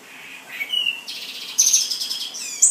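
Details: Black-and-white seedeater, a caged male kept in New Jersey that began singing after molting, giving a short high song of buzzy trills and sharp whistled notes rising in pitch over about three seconds.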